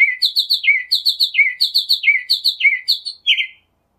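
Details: Northern mockingbird singing: a bright chirping phrase repeated three times in quick succession, then a shift to a new phrase, likewise repeated, with downslurred notes at the end of each series.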